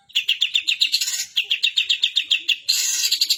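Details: Long-tailed shrike singing an imitation of sooty-headed bulbul calls: a quick run of about seven crisp, high chirps per second, briefly broken, then ending in a harsher, buzzier burst.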